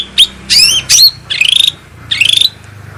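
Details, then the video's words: Bulbul (cucak rante) lure and therapy song: a few loud, sliding whistled notes followed by two trilled, rattling phrases, all high-pitched and bright. "suara pancingan dan terapi cucak rante atau cucak ranting"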